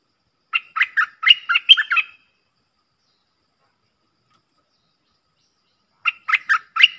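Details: A Streak-eared bulbul pair trading song in a fierce duel, 30 October 2021: a run of rapid, warbling chirps lasting over a second, then a long pause before another burst of bright notes begins.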